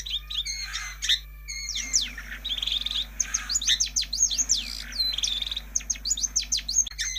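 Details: Long-tailed shrike lure sound meant to stir quiet birds into song. Busy sequences of high, swooping whistled notes and clipped chips, roughly two dozen bursts a minute, irregularly spaced, with a faint continuous low hum beneath.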